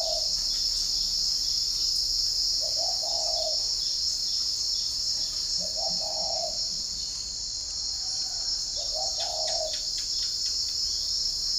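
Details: Spotted dove kept caged at a breeding garden in Ba Vì, Hanoi, Vietnam, heard one morning giving three low, mellow cooing phrases about three seconds apart, with a constant shrill insect hum and faint distant chirps.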